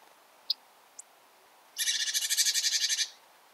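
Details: Two sharp, high pings from a Bearded reedling in reed beds, then a loud, harsh, buzzy rattle of rapid pulses lasting over a second.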